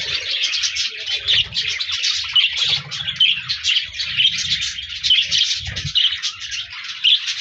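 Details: Budgerigars singing and chirping, 14 January 2024: busy, high, pulsing chatter of many overlapping chirps and short whistled notes, unbroken for the whole stretch, with soft low thuds in the background.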